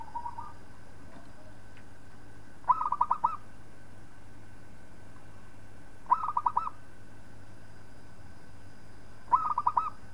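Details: Local zebra dove, recorded as a master song for training other birds, repeats short bubbling bursts of six or seven rapid cooing notes roughly every three seconds, with a steady low hum beneath.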